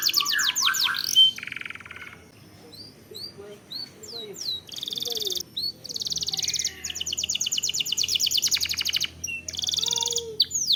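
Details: Canary singing long rolls as lure audio: a fast opening trill and buzzy phrase, scattered short chirps, then long loud rapid trills of even notes, broken by brief pauses.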